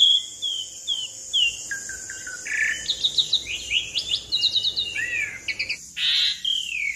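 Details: Asian pied starling delivering long rolling song as a lure for other birds: short whistles, low piping notes, fast ticking trills and a harsh rasping note, with a constant high insect-like hiss behind.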